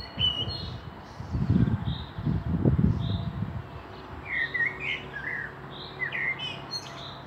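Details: Common blackbird song recorded in Meschede, Germany, on 18 May 2021 alongside a pair of fieldfares; low rustling and bumps at first, then several rich fluted notes and warbles with thin high twitters.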